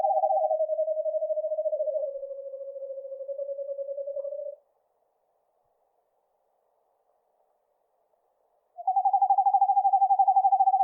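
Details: Eastern screech owl (Megascops asio) giving a rapid quavering trill that sags slightly in pitch over four seconds. A quiet gap follows, then a second trill at a slightly higher pitch. No other sounds are heard.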